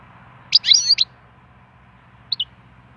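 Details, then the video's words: Wild European goldfinch used for song stimulation gives a short tangled twittering phrase, then after a pause two soft high chirps. "chant chardonneret sauvage"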